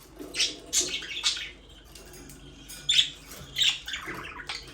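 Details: Budgerigar chatter: bright, scratchy chirps in separate bursts about every half second, with quieter murmuring warble between them.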